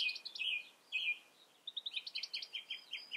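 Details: Calling European goldfinch gives buzzy, nasal high notes, then a lively series of short liquid twittering chirps against faint background noise.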